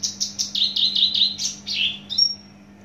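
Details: A Javan bush lark, a captive bird of Javan origin, gives a quick run of rasping high notes that drop in pitch, closing with a thin level whistle, over a low electrical hum.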